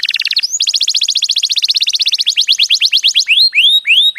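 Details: Male canary singing for mating, loud and strong: a fast buzzy trill of many identical high notes, then slowing into separate sweeping whistles that rise and fall, each cleaner and more spaced toward the end.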